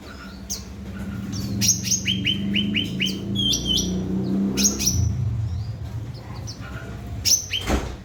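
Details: Cucak ranting bulbul song used to prompt silent birds: quick series of short high chirps with squeaky notes, against a noticeable low rumble and a crackling burst near the end.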